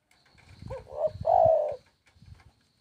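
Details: Spotted dove (tekukur) singing: a short wavering coo dips and rises, then runs straight into a longer, louder, steady mellow coo. Faint low rumbling noises sound before and after.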